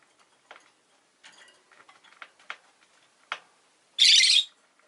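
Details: Soft scratchy chatter and clicks from a Rosy-faced lovebird, ending in one loud, harsh, sustained screech lasting about half a second.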